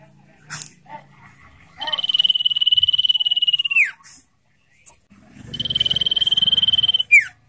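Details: Common iora full 'ngetir' song, training and lure audio for captive birds: two long high pulsed trills, each closing with a downward slur, separated by short ticks and a brief pause.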